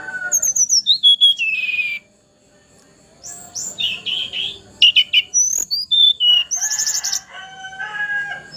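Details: Juvenile Sunda robin, still in young plumage but already singing freely: clear whistled phrases sliding down from high to lower pitch, a short pause, then a run of varied bright whistles and notes repeated roughly three times a second.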